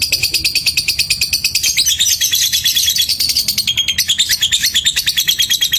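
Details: Lovebird of fighter type under a mental test, ticking continuously: a dense train of rapid, high clicks about three per second, overlaid with shrill chattering that shifts in pitch midway.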